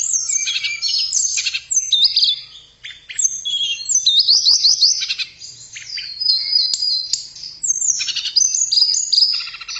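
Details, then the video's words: Melodious tledekan, a blue flycatcher, singing for songbird training: dense high warbles, trilled zigzag phrases and descending whistles, one short pause near the third second, then varied chattering notes continuing to the end. "Kicauan Merdu TLEDEKAN"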